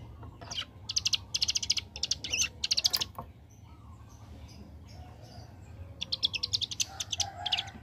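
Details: Bar-winged prinia in 'ngebren' AK47-style song: two bursts of rapid, high, rattling chips, the first lasting about two seconds, then a quiet gap, then a second rattling run near the end.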